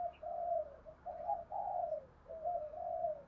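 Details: Spotted dove giving 'thúc gù' and calling coos for bird keepers: a run of low mellow coos grouped in pairs, set against steady background hiss.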